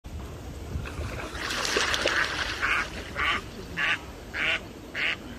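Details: Duck quacking at a pond: a rough, noisy burst at first, then five nasal, buzzy quacks, evenly spaced about every half second, with steady faint background hiss.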